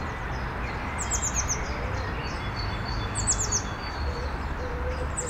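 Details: Starling chatting with its flock on an evening branch: quick runs of high, downslurred chips in two bursts, with soft low tones and a constant rumbling background.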